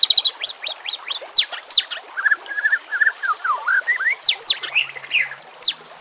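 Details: White-rumped shama song for tutoring and luring, with nature sounds and trickling water: high steeply falling whistles repeated rapidly, a stretch of lower liquid warbling, then further sharp high slurred notes.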